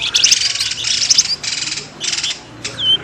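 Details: Bird calls from a noisy lure recording meant to draw birds out of thick bushes: buzzy high chirp bursts in short clusters with brief pauses, ending in a single thin, downslurred whistle.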